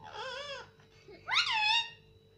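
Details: Indian ringneck parakeet kept indoors, said to talk in Hindi: a softer wavering harmonic note, a pause, then a louder call that swoops up and holds, over a low electrical hum.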